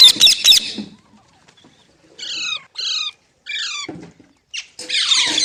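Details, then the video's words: Green parrot, or tota, opening with a harsh burst, then three separate descending raspy notes about half a second apart, ending in a broad noisy screech. "Green Parrot Talking Natural Sounds | Mitthu Ki Awaaz | Tote Ki Awaaz"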